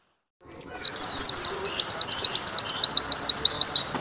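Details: White-eye song starting after a short silence, a few swooping whistles leading into a fast, even run of sharp high upslurred notes.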